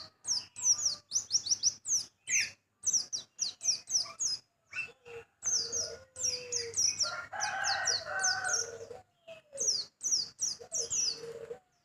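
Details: Small white-eye with a sharp voice delivering long runs of rapid, high downslurred chirps in quick clusters, broken by short pauses, with a warbled mid-pitched passage in the middle.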